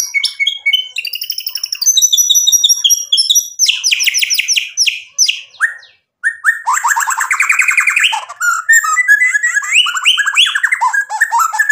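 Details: White-rumped shama song rich in varied phrases: clear whistles stepping between notes, rapid rattling trills, sweeping slurred notes and a brief pause, all loud and continuous with no other sounds.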